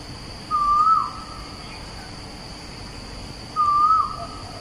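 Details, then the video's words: Asian koel at Bukit Batok East, Singapore, opposite the nature park, 14 September 2021, gives two mellow whistled notes about three seconds apart, each lifting slightly at the end, over a thin high whine, with other birds in the background. "Asian Koel - Song"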